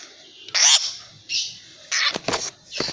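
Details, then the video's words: Long-tailed shrike chick, three months old and caged, still vocal after its tail was plucked: loud grating rasps in short separate bursts, a long buzzy note, then a quick cluster of harsh scratchy notes. "piyek cendet 3bln super bandel. habis di cabutin ekor..tetep bunyi."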